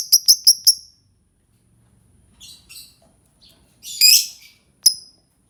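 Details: Lovebird calling: a quick run of four sharp, high chirps, then scattered softer chips and a louder shrill squeak, each short and piercing, with quiet gaps between.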